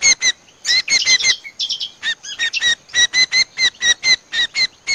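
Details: Trappers' lure recording of Common Iora (kecial combo): a tight cluster of scratchy chatters, then a steady series of evenly spaced harsh notes, several each second, clear and loud.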